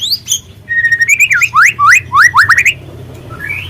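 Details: White-rumped shama, young speckled murai trotol, singing a lure recording meant to excite birds into voice: a level whistle opening into a rapid run of upslurred whistled notes, then one rising note.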